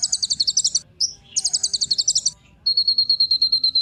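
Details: Kolibri ninja sunbird singing to encourage other birds. Two bursts of fast, high, chattering trills are separated by a single note, and a steady run of thin, evenly repeated whistled notes follows.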